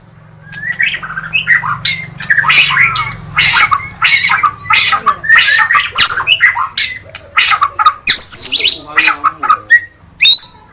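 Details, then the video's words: Harsh, scratchy chattering from a White-rumped shama, with many rapid rasping bursts, a few short whistles near the end, and a low hum in the background. "SUARA BURUNG - Murai batu"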